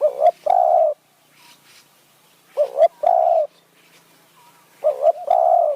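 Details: Decoy spotted dove in Thailand's Kanchanaburi high forest, luring wild doves with khu-ang and nun-ang calls: three evenly spaced deep coo phrases about every two and a half seconds, each a quick double hoot and a long steady coo, with faint coos in the gaps.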